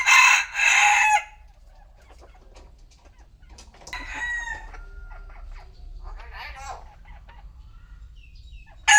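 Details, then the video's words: Rooster crowing at noon: one loud, harsh, drawn-out crow opens the recording. It is followed by quieter clucks and chicken sounds, and a new crow begins at the very end. "Tiếng gà gáy trưa"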